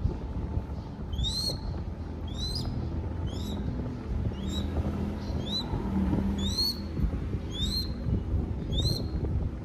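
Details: Begging chick crested goshawk in Cambodia, fed by hand: evenly spaced, sharp upward-sweeping whistles repeated about once a second, nine in all, above a constant low hum.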